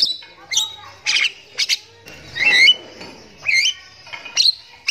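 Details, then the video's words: Javan myna singing energetically in the morning: a varied run of harsh squawks, chattering bursts and sharp rising whistles in short phrases about every second. "JALAK KEBO GACOR PAGI HARI"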